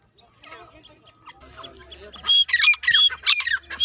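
A grey francolin bursts into loud, harsh, high squawking notes repeated in quick succession after a quieter stretch of faint background voices and bird chatter.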